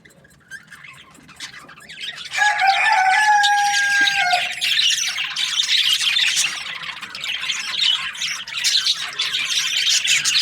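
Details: Budgies, Australian parrots: quiet start, then a clear steady whistled tone held for about two seconds before a crowd of birds breaks into loud, continuous scratchy chirping and squeaky chatter.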